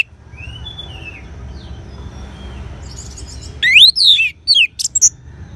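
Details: Orange-headed thrush: faint thin whistles over steady low background noise, then a loud, rapid phrase of steeply rising and falling whistles and short sharp notes near the end.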